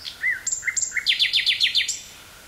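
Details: Common nightingale singing in Dutch woodland near Burgh-Haamstede, 18 May 1983, portable cassette recorder: brief slurred whistles leading into a fast run of about six sharp descending chirps.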